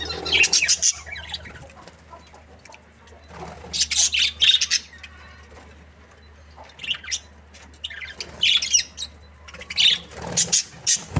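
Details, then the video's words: Happy budgies give separate bursts of high scratchy chirping and squawks, about one burst every two seconds, with quieter gaps between. "Happy budgies chirping sound"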